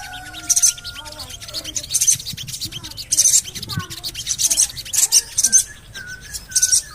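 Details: Javan cochoa luring call, played to prompt singing. Piercing chirp bursts recur every second or so over faint thin whistles and a steady low hum.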